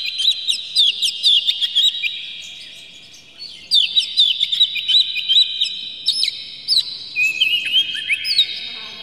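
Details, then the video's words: Oriental magpie-robin song, harsh clear material meant to provoke other birds into singing; dense bursts of sharp whistles, upslurs and chirps, several phrases overlapping in a loud layered stream with short pauses between phrases. "PANCINGAN KACER Buka Ekor KONSLET bongkar MATERI KASAR JERNIH agar KACER emosi"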